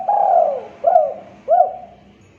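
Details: Spotted dove calling as a lure to draw replies from other doves: one drawn-out, mellow coo that slides down, then two shorter rounded coos about half a second apart, low-pitched and hollow, over a faint low hum.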